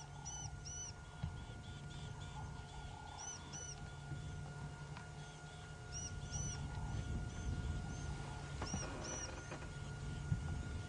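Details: Waxbills giving thin, high 'teet teet' alarm calls in quick, uneven repeats during an afternoon safari drive on 28 July 2016, over engine rumble; possibly alarming at a predator such as a leopard or mongoose, and dwarf mongooses ran off.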